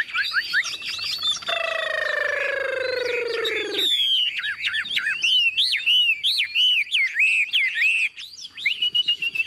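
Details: Caged Chinese Hwamei, a tame bird newly acquired, singing while hung up: bright varied whistles, a long sustained descending tone, then loud looping up-and-down whistled notes repeated in quick succession.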